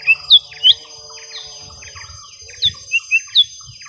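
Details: A young lesser green leafbird fighting a rival gives bright, sharp downslurred whistles, three quick notes, then a quiet gap, then another burst of four, over a faint low rumble.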